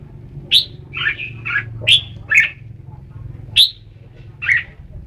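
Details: Red-whiskered bulbul calling in loose chirpy notes, sharp bright accents mixed with softer warbled syllables, spaced irregularly over a low hum.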